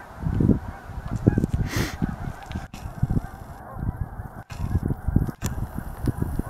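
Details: Flock of geese at a reservoir near Altus, Oklahoma, honking in loose bursts of overlapping nasal calls separated by brief lulls, a few clicks and handling noises between.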